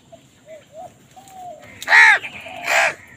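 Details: Crow calling amid a squabble with wild birds over food: two loud, harsh, hoarse caws close together near the end, preceded by several thin, clear whistled notes from another bird.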